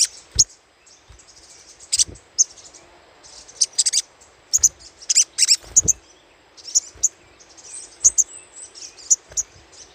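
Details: Lure recording of little spiderhunter chattering: dense runs of high, harsh chit notes, bunched into rapid bursts every second or so, with a constant thin high tone underneath.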